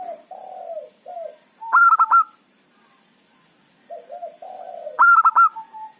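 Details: Local zebra dove singing as a trapping lure: low, rolling, descending coos lead into a burst of quick, loud, ringing staccato notes. The whole phrase repeats about three seconds later.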